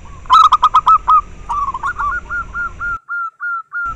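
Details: Local zebra dove song, used to stimulate breeding drive and to lure. Loud, fast, clipped coos slow into a spaced series of evenly timed single notes, with brief silent gaps between the last ones.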